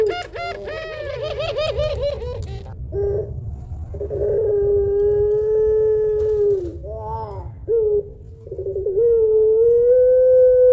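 Barbary dove opening with a quick burst of rolling, wavering notes, then long drawn-out hollow coos, low and steady, with a brief rolled break between them.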